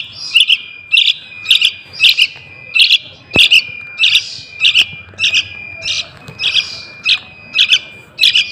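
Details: Rapid, fairly regular chirping of a juvenile sooty-headed bulbul, used to attract wild bulbuls, with bursts about every 0.6 seconds, one sharp click near the middle and a thin constant tone behind.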